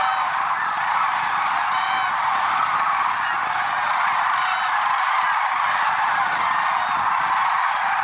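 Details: Early-morning chorus of lesser sandhill cranes at Merced National Wildlife Refuge, 6 February 2023; countless birds call at once, merging into a continuous roaring wall of rolling, honking notes with occasional higher, clearer cries on top.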